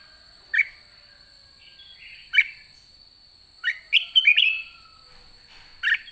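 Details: Red-whiskered bulbul, white cheeks, late season, in the ché style: scattered single sharp whistles, then a quick cluster of bubbling notes and a final chirp, a steady high tone running underneath.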